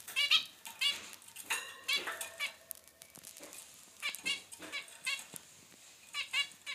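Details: Male and female zebra finch kept as pets answer each other with clipped, nasal beeps, loud at first then softer, irregular bursts over several seconds, with faint clicks and rustling in the background.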